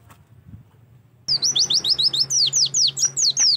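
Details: Oriental white-eye song used as a lure to get birds singing and opening their beaks. After about a second of near silence comes a fast, steady run of high, thin, sweeping whistled chirps, roughly a dozen notes in close succession.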